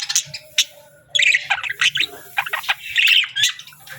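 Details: Parakeets make quick, clipped chirps and bursts of scratchy chatter, with sharp clicks and bright whistled squeaks repeated in short runs.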